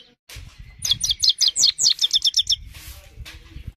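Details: Himalayan goldfinch singing a rapid run of high, bright notes, about a dozen quick chirps packed into under two seconds, with some low rumbling background noise.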